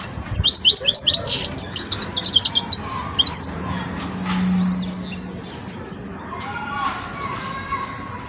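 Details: Young Wedani European goldfinch in the song-learning stage opens with a fast, scratchy run of high chirps and twitters for about three seconds, then falls quiet while a low droning hum and faint tones continue.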